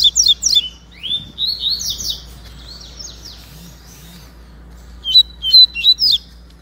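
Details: Baiano-style song of Double-collared seedeaters, a white-breasted bird disputing with a yellow-breasted one: loud rapid rising-falling whistles and buzzy downslurred notes, a quiet gap, then a crisp run of sharp repeated chips near the end.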